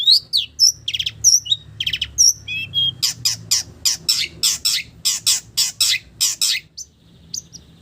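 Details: Long-tailed shrike song mimicking village birds. Varied high whistled notes give way to a long, steady series of harsh, scratchy chattering calls, about three per second, before fading.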